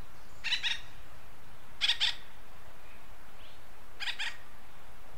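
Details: Acorn woodpecker, western North America, calling in three spaced bursts, each a pair of rough, buzzy notes, the last one softer, with a low hiss throughout.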